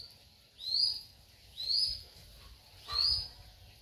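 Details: Rufous-winged buzzard giving three high, thin whistled notes, each sliding upward and then dropping off, spaced about a second apart against a soft background hiss.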